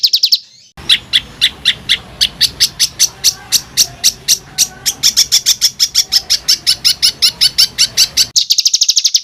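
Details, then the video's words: Rough, tightly rolled bird song used as training material for fighter songbirds: rapid, evenly repeated sharp notes high in pitch, about eighty per minute, with a brief pause near the start and a denser trill at the end. "ROLL RAPAT KASARAN || TEMBAKAN Kasar Untuk BURUNG FIGHTER"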